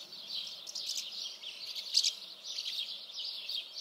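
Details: Steady high chatter of common house martins, many rapid chirps blending into a busy stream, one sharp louder chirp standing out midway, with soft outdoor hiss beneath.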